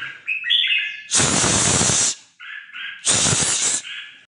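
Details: Red-whiskered Bulbul used as a decoy for hunting, 'hót ché' singing: brief warbled, stepped phrases sit between two loud bursts of broadband hissing noise.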